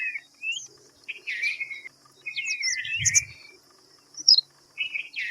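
Red-vented bulbul giving short, bubbly, liquid chirps in quick bursts, with a faint steady high insect-like hum and a brief low thump.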